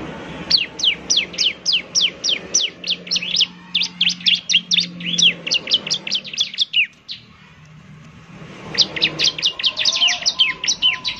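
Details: Bar-winged prinia, a semi-trained bird used as a lure, singing rapid bursts of high, sharp, descending chip notes in fast repeated runs, with a pause midway before the trilling series resumes; faint low hum underneath.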